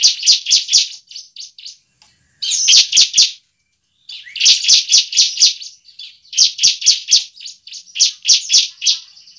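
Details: Lure for a kept bar-winged prinia, fighting song: brisk strings of loud, harsh high notes in groups of four to six, separated by brief silent gaps.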